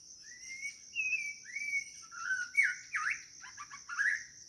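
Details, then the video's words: A White-rumped shama calls for a mate with a string of pure whistles at varied pitches, some rising and some falling, ending in quick chopped notes and a rising flourish. A constant high insect hum runs beneath. "นกกางเขนดง กู่หาคู่"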